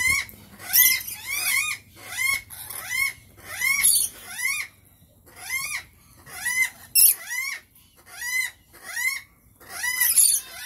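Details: Shrill, curved squeaks from rainbow lorikeets repeat in a steady rhythm of roughly one per second, sometimes doubled, with brief quiet gaps between bursts.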